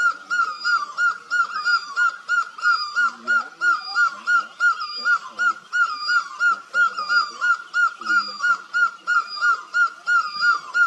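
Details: Great barbet in Asia giving fast, regular, mellow notes about three per second in a continuous rolling series, with faint softer calls underneath.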